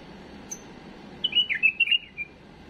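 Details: Tame bulbul's error-free song for training young birds: a faint high tick, then a single tumbling warbled phrase of about a second, dipping and rising.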